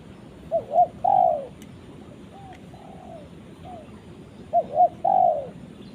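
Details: Tekukur, the spotted dove, calls to its companion with a repeated phrase of two quick notes and a long falling coo, given twice with softer coos between, over a steady low hiss.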